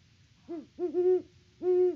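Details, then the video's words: Great horned owl at the nest in Peabody, Kansas, hooting: a brief wavering note, a doubled low hoot, then a long even hoot. "HootFest @ the Nest!"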